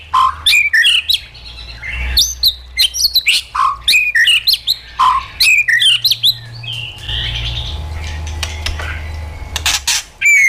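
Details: Caged-bird training song of a white-rumped shama in wild-forest voice: long continuous run of varied whistles, rising and falling slurs, and sharp clicks packed closely together, then softer warbles and a final clear whistle, over a low hum.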